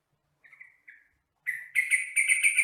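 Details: Sooty-headed bulbul (trucukan, jogjog) singing on a training recording for caged birds: two soft, wavering whistles, then a pause and a loud, rollicking series of bubbly notes delivered rapidly.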